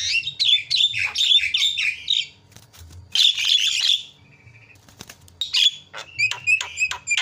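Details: Javan myna in a lure recording meant to provoke other birds into calling: dense bursts of harsh, buzzy chattering with short whistled notes, a brief pause, then a further run of sharp repeated chips and whistles.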